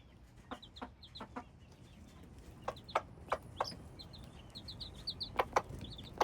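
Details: Hybrid chicks peep busily in high, clipped notes while frequent loud taps, like pecking, punctuate the chorus.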